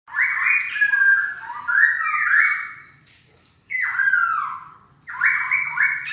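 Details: Silver-eared laughingthrush singing indoors, a caged bird: loud rich whistled phrases with slurred falling and rising notes, three bursts separated by short pauses, with faint low hum in the background.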